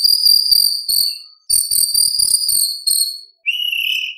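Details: White-rumped shama singing full-repertoire competition material: long, thin, high trilling whistles in two bouts, followed by a steadier, lower, warbled whistle.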